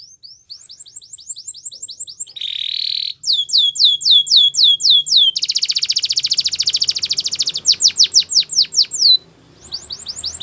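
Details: Belgian canary singing: rapid high chips, a short harsh buzzy note, a run of descending whistles, a long rattling trill, then more down-slurred notes and a brief closing trill.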